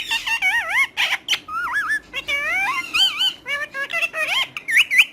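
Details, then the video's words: Talking pet parrot indoors: a rapid string of wavering, speech-like warbled syllables and squeaky whistled glides, with short squawky bursts between them. "Best Talking Parrot"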